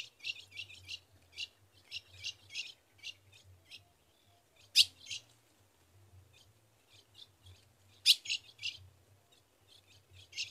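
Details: Female ultramarine grosbeak calling to a male for mating in the caatinga of Rio Grande do Norte, Brazil: sharp, dry chip notes, irregularly repeated, with two louder snapping chips and a faint low hum beneath.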